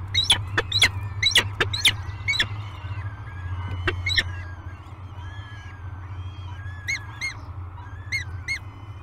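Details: Peregrine falcon chicks at breakfast feeding time on Great Spirit Bluff, 22 May 2020, filmed by a live nest cam: a burst of sharp, clipped notes, then sparse short whining calls, over a steady low hum.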